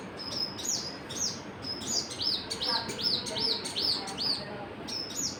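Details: Birds chirping: repeated high arched whistled notes, several per second, with overlapping sharper chips and a faint background hiss.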